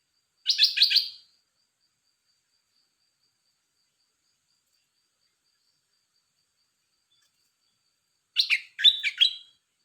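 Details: Red-whiskered bulbul, dok taeng type, giving two short bursts of rapid, bright chirping notes separated by about seven seconds of silence.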